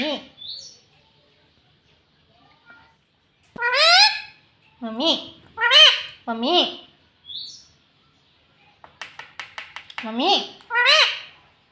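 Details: Pet parrot talking, said to say "mummy" and "papa": bursts of harmonic, word-like syllables with rising-falling pitch, plus a quick series of sharp clicks near the end.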